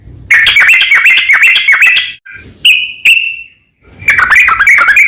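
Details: Yellow-vented bulbul song played as a lure to make sluggish or silent bulbuls answer. Loud, bubbly, gurgling phrases in rapid strings, then a brief pause with a single drawn-out whistle, before the chattering burst resumes.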